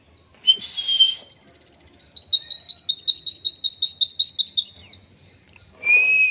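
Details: Songbird-training masteran of an oriental white-eye in the 'endok tato' style: a short whistle, a rising sweep, then about four seconds of quick, regularly repeated high buzzy notes, ending on a sliding whistle.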